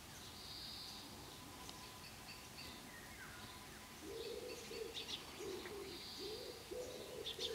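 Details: Common cranes that landed just behind a garden fence, recorded around 7 am. Low trumpeting notes come in a loose series from the midpoint onward, amid faint twittering birds and recurring high buzzy bursts.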